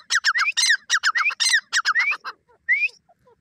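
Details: Francolin (teetar) giving a rapid string of harsh, grating syllables with rising slurred whistles mixed in, three fast phrases in a row, then a single rising note after a short pause.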